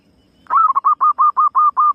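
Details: Female zebra dove giving a lure call: one long mellow coo followed by about eight short, evenly spaced hooting notes, all at the same mid pitch, over a quiet background.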